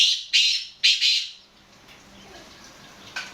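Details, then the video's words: Black francolin (kala teetar) calling: a burst of loud, harsh, rasping notes in quick succession, the later ones doubled, then a quieter stretch with faint calls and a low hum in the background. "Kala Teetar Nawab Black Francolin Calling"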